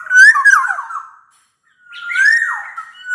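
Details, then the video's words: Lively black-naped oriole whose song serves to stir silent orioles into singing: two loud fluted whistled phrases, the first wavering and tumbling down, the second a sustained clear whistle rising then dipping. "Suara kepodang gacor ini bisa di jadikan pancingan kepodang malas bunyi"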